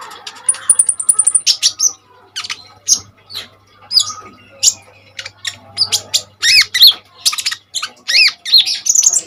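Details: Common iora song for tutoring other birds: opens with a very high rapid trill, then sharp chips and looping downslurred whistles delivered in quick succession, a low hum in the background.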